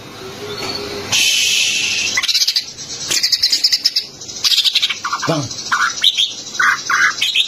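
A greater green leafbird sings a rapid, varied run of high chattering notes, harsh buzzy bursts and short whistled phrases, with a steady hiss behind.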